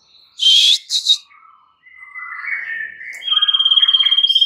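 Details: White-rumped shama song used as a lure to provoke other shamas into singing: loud whistled notes near the start, then softer warbling phrases and a fast, evenly pulsed trill at the end.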